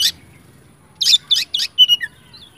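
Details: Oriental magpie-robin, from a lure recording to make other magpie-robins sing: a short harsh rasp, a pause, then three quick scratchy bursts followed by a clear whistle and soft tail notes.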